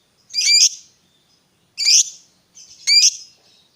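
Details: Lovebird of fighter type, played to coax a silent bird into singing: three shrill, squeaky notes with a buzzy edge, spaced about a second and a quarter apart, no other sounds.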